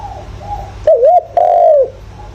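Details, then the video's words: Calling decoy spotted dove, a 'giọng thổ' voice suited to stirring wild doves into answering: one low, soft cooing phrase, a wavering coo followed by a longer falling croon, over faint background cooing. "chim cu gáy mồi, chim cu gáy gọi, chim cu gáy giọng thổ, tiếng chim cu gáy giọng hợp bổi."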